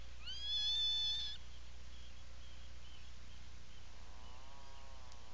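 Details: Atlantic puffin at its nesting burrow on Seal Island National Wildlife Refuge, Maine, recorded by a burrow camera on 17 July 2018 in the afternoon: one drawn-out, rising, whistled wail with rich overtones lasting about a second, followed later by a fainter, shorter wavering call over steady low hum.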